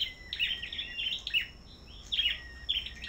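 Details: Bird-farm black-throated bushtits in a singing contest, giving clustered high chirps and short whistles in two bursts separated by a brief lull, a steady high hum in the background.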